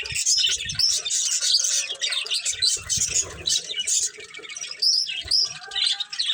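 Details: Budgerigars of a breeding pair chirp and warble in a steady stream of high scratchy notes with squawky accents and some sharper whistled squeaks.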